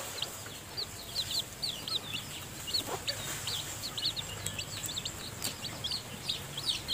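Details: Hen feeding her newly hatched chicks in the nest; faint, high, rapid peeping from several chicks runs steadily over a soft background hiss, with a few light clicks.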